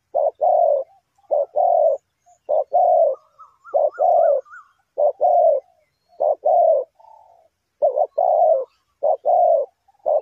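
Spotted dove giving low, hollow coos in quick groups of two or three, repeated through the clip; a fainter higher trilling note is heard once in the background.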